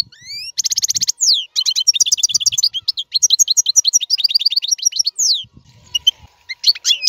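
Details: Song of a European goldfinch, offered as a model for teaching young caged birds: rising whistled notes, then a rapid rattling trill leading into continuous tinkling twitter, a brief lull with faint rustling, and more chirps.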